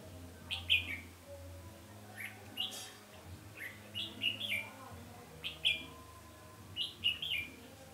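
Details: Red-whiskered bulbul during a 20 November 2015 trapping session: repeated cheerful, slurred warbling phrases about every second or two, each a quick run of bright notes, over a steady low hum.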